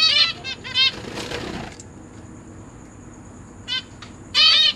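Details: Caged zebra finch family in September 2023: parents with three juveniles and three newly hatched chicks. A few nasal, harmonic-rich calls come in short bursts at the start and end, with a quiet stretch between.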